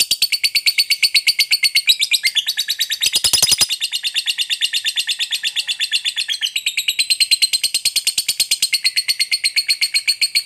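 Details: A lovebird fighter's long ngekek chatter to make other lovebirds respond: an unbroken rattle of high, metallic chattering notes at about three per second, briefly rising into a harsher, denser burst before settling back.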